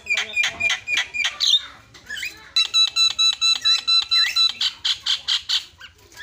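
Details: Javan myna singing as a lure for other mynas: a run of evenly repeated buzzy notes, then a quick series of rich, harmonic, nasal calls, ending in more rhythmic buzzy bursts.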